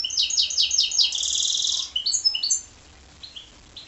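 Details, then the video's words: Rhythmic repeated double notes from a goldfinch-canary hybrid run into a sustained buzzy trill, followed by scattered high chirps and quieter calls. "goldfinch x canary"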